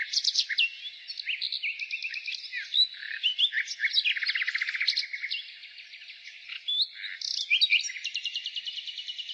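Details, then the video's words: A nightingale sings in spring, pouring out rapid rattling trills, repeated clicking notes and quick whistled slurs that change phrase every second or two, with a long fast buzzing series near the end. "Nightingale singing Spring relaxation The singing of the nightingale"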